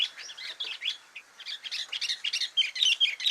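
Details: Dense, bubbling chatter of quick chirps and warbled notes from a sooty-headed bulbul in filler-song (isian) style, with bright, clear tones toward the end.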